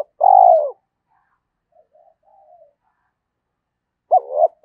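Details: Spotted dove cooing to rouse and lure wild doves in quickly: a loud, low, descending coo phrase, then faint murmuring and the start of another two-part coo near the end; no other sounds.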